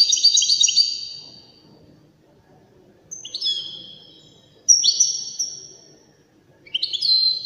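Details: Widani European goldfinch in elegant song, delivering four separate bursts of high, bright twittering, each a fast cascade of tinkling notes, with short silences between them and a faint low murmur beneath.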